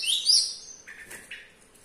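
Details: A young Java sparrow, kept about two weeks, still sings despite a sore foot and a broken-off nail: a bright, high twittering run at the start, then a few short chirpy notes that fade out. Recorded caged in a kitchen.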